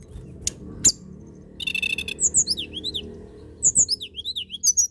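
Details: Tledekan gunung singing fast to stir other birds: clicks, a buzzy rattling burst, then a chain of high zigzagging whistled notes rising and falling, repeated twice with brief pauses.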